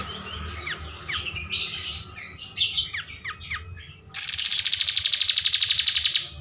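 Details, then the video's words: Kapas tembak bulbul singing lively, for use as a training master: sharp rising whistled notes and chattery phrases, then a loud fast buzzy trill slowly sliding downward, about four pulses per second. "MASTERAN KAPAS TEMBAK GACOR"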